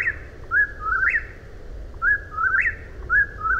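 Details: Eastern whip-poor-will: loud whistled phrases with a brief opening note and an upward-flicking finish, heard close and repeated in steady rhythm against quiet background noise.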